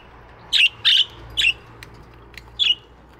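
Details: Budgies in an aviary chirping in the morning, three harsh chirps in quick sequence, a gap, then one more chirp, over a steady low hum.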